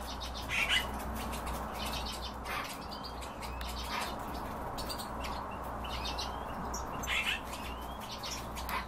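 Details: Calls of European bee-eater: brief purring, rolled notes with softer chirps between them, clustered near the start and again later, above a persistent low hum.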